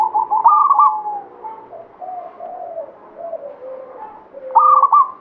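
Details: Banyumili-type local zebra dove in full song: a loud burbling stepped coo opens, followed by a run of softer, lower, wavering coos, and a second loud stepped phrase near the end.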